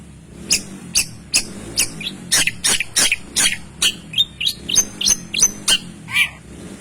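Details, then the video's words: Long-tailed shrike song used to provoke other shrikes into singing: a fast run of sharp, harsh high notes and chattering bursts, roughly three per second, over a low background hum. "PANCINGAN CENDET GACORR"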